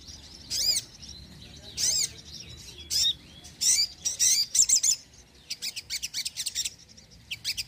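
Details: Sogon song used to attract birds and prompt lazy birds into song: separated bursts of high, piercing chirps, closer together toward the end, over a faint low background hum.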